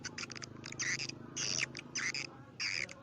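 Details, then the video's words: Swiftlet lure: short, sharp chirps alternating with buzzy twittering notes, several bursts in quick succession. "sp walet karindanga. liris terbaru. gondes suara walet"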